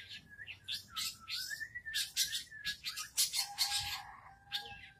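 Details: Long-tailed shrike placed in front of a house, singing steadily: a long whistled note gliding and wavering near one pitch, overlaid by rapid bursts of harsh, scratchy, buzzy high notes, ending with a lower steady whistle and a final chirp.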